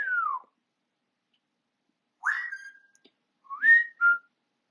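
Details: African grey parrot kept as a pet whistles indoors: a falling slur, then a rising note that levels into a steady tone, and finally an upswept whistle followed by a brief flat note.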